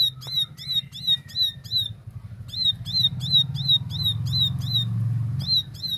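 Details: Plain prinia giving a clear, lively 'tembakan' song: long runs of sharp, high, evenly spaced chips at about three per second with one short break, over a low rumbling background hum.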